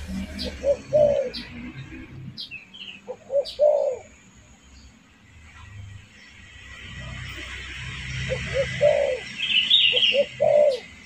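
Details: Spotted dove lure call for attracting wild birds: low, hollow cooing phrases of several short notes with a longer arched coo, in two bursts around a quieter gap. A higher chirping bird is heard near the end.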